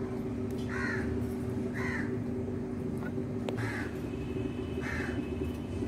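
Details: Talking rose-ringed parakeet kept as a pet and credited with speaking Urdu/Hindi: four brief rasping arched calls roughly one second apart against a constant indoor hum.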